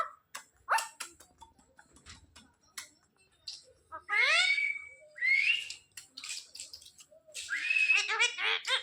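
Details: A pet Indian ringneck parakeet, trained by daily repetition, talking: bursts of high harmonic speech-like syllables and clear whistled rising notes, with several louder garbled phrases toward the end and quiet clicks between.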